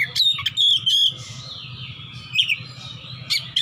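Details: Fighter Oriental magpie-robin in ngeplong style, seeking an opponent: a few loud, clear whistled phrases, some sliding, separated by short gaps, over a steady low hum.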